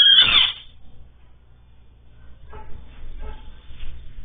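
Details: A great kiskadee in Brazil, calling a lot, gives one loud, harsh, squealing call lasting about half a second, followed by faint rustling and low background noise.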